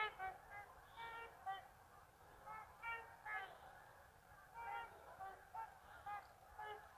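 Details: Geese heading out from the marsh to feed in the afternoon give separate nasal honks, each with a clear ringing tone, in quick irregular bursts with short gaps between them.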